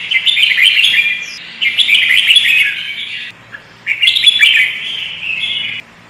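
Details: Sooty-headed bulbul, a lure bird in full song: two long, busy warbled phrases of rapid bright notes, each lasting over a second, separated by a brief quiet gap.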